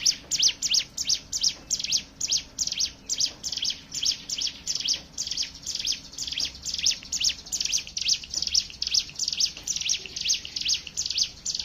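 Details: Rapid, steady run of thin, high, buzzy chips from a Hill prinia, about two to three each second without a break. The song serves as a lure to get other birds singing.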